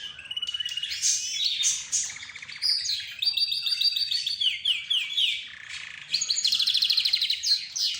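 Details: Group of pet birds (budgerigar, zebra finch, roz and a leading canary) in lively exchange: rapid trilled phrases, descending whistled notes and high chattering notes follow each other without pause.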